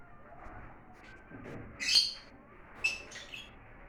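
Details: Lovebirds, exotic birds, with two sharp high-pitched squeaky chirps about a second apart over faint background murmur.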